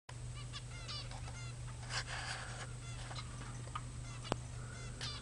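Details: Pet budgerigars (budgies, parakeets) in old footage dated February 2009: a busy run of short, warbling chirps and chatter, many quick rising and falling notes packed together over a steady low electrical hum.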